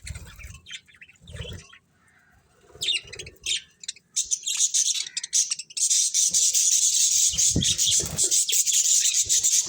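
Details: Several budgerigars chatter, first with scattered sharp chirps and a few low murmurs, then from about six seconds with a dense, continuous wash of high-pitched twittering.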